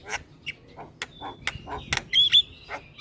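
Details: Head-nodding Javan myna in full vigorous song, used to spur reluctant mynas into singing: a string of dry clicks and short harsh bursts, then a thin level whistle and a louder pair of high whistled notes near the end.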